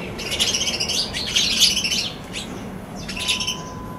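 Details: Sparrows on a balcony chirping in quick, irregular bursts of bright, high notes, several birds calling over one another.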